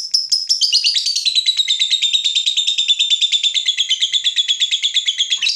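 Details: Long ngekek from a fighter lovebird stirred up by provocation: an unbroken stream of quick, harsh pulses, high at first and then settling slightly lower, steady to the end.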